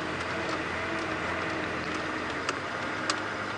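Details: Continuous engine drone from a moving vehicle, with a few soft ticking knocks, and no animal voice anywhere.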